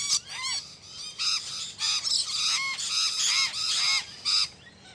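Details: Exhibition budgerigars in captivity call continuously, layering many short, arched, ringing chirps and warbles into a steady, busy chatter with no pauses.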